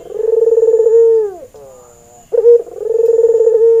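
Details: Male white Barbary dove, albino with red eyes, in breeding condition and used as a lure. Low rolling coos end in a downward slur. A faint, softer murmur follows, then a fresh coo starts with a sharp note.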